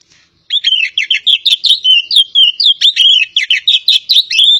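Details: Kacer poci magpie-robin from Java, singing: a fast, varied run of sharp chattering and twisting whistled notes, closely packed after a half-second of silence, with no other sounds.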